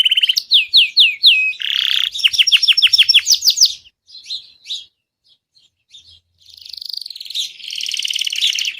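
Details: Gray Belgian canary song played to stir caged canaries into singing: a series of quick descending whistled slurs and choppy notes, a short quiet pause with faint chirps, then a long sustained buzzy trill.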